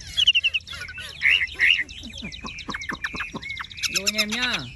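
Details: Caged tame Chinese hwamei with golden-yellow plumage singing: a rapid run of bright whistled notes, then buzzy rattles and a sharp descending sweep near the end, with a man's voice talking faintly underneath.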